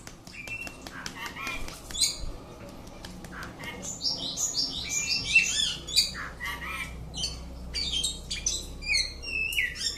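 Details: Oriental magpie-robin kept at home singing: scattered clicks and a few whistles at first, then a dense run of slurred whistled notes, harsh squawks and chirps, varied and rapid, over a low background hum.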